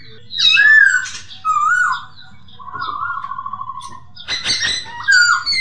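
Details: Masked laughingthrush song for training caged birds: a few loud slurred whistles, a long soft even trill, then a burst of harsh chatter and a final rising whistle.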